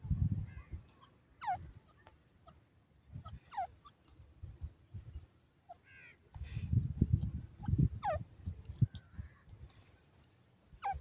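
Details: Grey francolin, known locally as dakhni teetar, calling: sharp, descending whistled notes in short bursts, with groups returning at intervals of about two seconds, over a steady low rumbling background.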